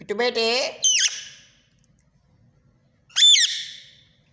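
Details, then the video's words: A tame pet rose-ringed (green ringneck) parakeet kept at home gives a short burst of speech-like talking chatter, then two sharp, high squawks, one falling, with a brief silence between them. "Green ringneck parrot 🦜 talking beautiful voice"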